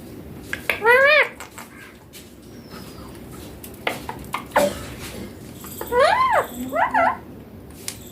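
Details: Young green Indian ringneck parakeet kept as a pet, talking in Hindi and saying "mummy papa". There are three short, rich, wavering voiced utterances with speech-like rises and falls, at about one, four and a half, and six to seven seconds. Soft clicks and faint room noise sit between them.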